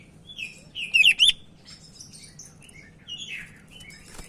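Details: Sumatran leafbird of the Medan type, singing energetically as a lure for other birds: a loud burst of rapid piercing chip notes, followed by softer varied whistles and a short trill, with a low hum underneath.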